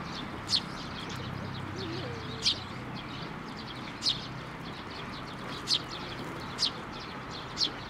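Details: At a Tenmangu shrine, 19 May 2024, sparrows flying onto a hand for food utter six crisp, high single chirps one to two seconds apart against a faint low rumble.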